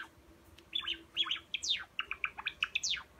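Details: Silver Java sparrow, a caged pet, singing: quick series of short chirps and clicks at mid-high pitch, building into steep descending whistled sweeps near the end.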